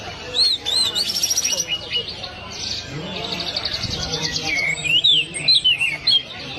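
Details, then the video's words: Orange-headed thrush in energetic song: looping whistled notes, fast buzzy trills and slurred rising and falling phrases strung together almost without break; soft low sounds in the background. "ANIS MERAH LAGI TELER"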